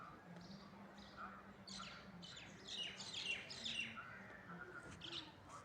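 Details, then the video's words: In the morning, a myna gives a run of harsh, chattering chirps and squeaky notes, about two a second, while other birds call around it over a low steady hum. "Beautiful Morning Myna and other birds chirping sound"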